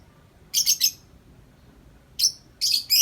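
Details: A tame uncaged lovebird doing 'ngetik' chatter, long and nonstop: rapid double and triple bursts of shrill, high squeaky notes separated by short silences.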